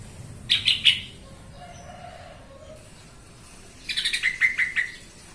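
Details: Yellow-vented bulbul recording for provoking other birds to sing, with two bouts of scratchy chatter: three quick notes early, then a longer run of about six buzzy notes after a pause, with a soft whistle between them.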